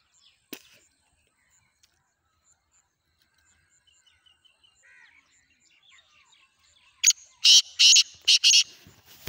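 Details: Kala tetar, the black francolin, heard after a long quiet stretch with faint distant chirps and a click. Near the end it bursts into a loud run of rough, rasping notes in quick succession.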